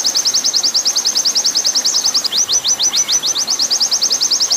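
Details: Training song of an oriental white-eye in 'nembak panjang' style: a continuous fast high trill of sharp chips that loosens into slower, spaced notes mid-way before speeding up again, with watery hiss underneath.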